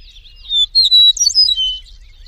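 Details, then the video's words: An Eastern meadowlark in the wild sings a short phrase of pure, sliding whistles, with several bright notes in quick succession before a falling final whistle. Nothing else stands out in the background. "MERDUNYA BURUNG KICAU"EASTERN" meadowlark(KICAU MANIA)Full Gacor.di alam liar"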